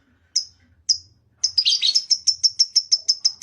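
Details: Lovebird gives two separate sharp high chirps, then breaks into a quick, even series of piercing squeaky notes with a brief warbled tangle at the start, faint low hum behind.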